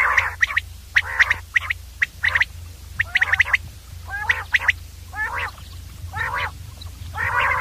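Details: Common Quail, called batir, heard in a mix of quick sharp triple notes and rough, gargling, nasal bursts that grow longer toward the end, with a low hum throughout.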